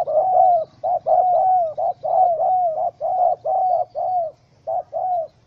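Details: Angry wild spotted dove held in a small rope trap, 04/07/2017. It gives rapid back-to-back hoarse coo notes, each with a brief upturned tail, in an uneven pulsing series that fades toward the end.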